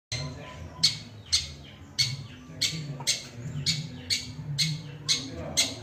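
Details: Long-tailed shrike, a bird said to mimic other birds' songs, giving harsh broadband squawking notes repeated about twice a second, each note a short noisy burst with a low hum beneath.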